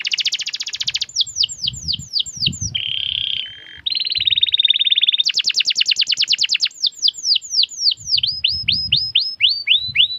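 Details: Canary sings a mix of fast rolled trills, falling whistled series and buzzy steady tones, ending with repeated descending notes; faint low thumps underneath.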